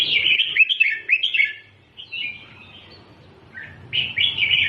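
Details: Red-whiskered bulbul song in the doubled style, used to teach young birds to sing: rapid, bubbling warbled phrases in runs, a quieter pause in the middle, then another loud burst.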